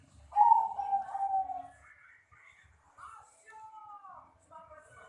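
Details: Caged Bangkok-type zebra dove, a ringed bird, cooing: a long mellow opening phrase with quavering tone, quieter short coos, then smooth slurred notes that bend downward, in a quiet setting.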